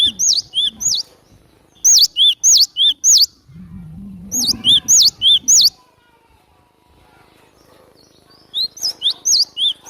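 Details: Lure recording of a cinereous tit in lively song: crisp two-part whistled notes repeated in fast runs of five or six, three runs in all, with a brief low muffled rumble beneath the middle phrase.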